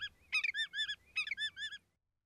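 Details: Willet, a shorebird, gives two loud, ringing bursts of clipped, repeated notes, each a rapid three- or four-part phrase; staccato calls are sharp and far-carrying to cover open distances over wind and surf.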